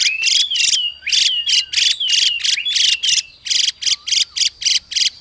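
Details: Female Chinese hwamei 'xùy' call used to fire up a male to sing: dense scratchy bursts fired in a steady run, overlaid by clear gliding whistles of a singing male hwamei.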